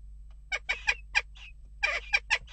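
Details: Western jackdaws in unrest at a nest box: harsh, clipped calls in quick bursts, a cluster of four, a pause, then another tight run of sharp notes.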